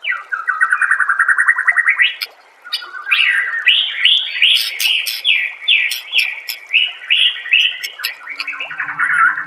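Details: White-rumped shama song used as master song for training caged birds, set over trickling water: a steady run of mid-pitched warbled notes, then a series of bright, rising whistled phrases repeated about every half second.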